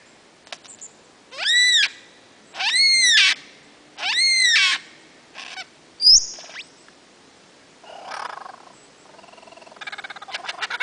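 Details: Male lyrebird in full song on his fern-surrounded mound, Sherbrooke, Dandenong Ranges, Victoria, April 2008; three loud, rich arching notes in a row, then a whip-like upward sweep, a soft rasp and a fast ticking series.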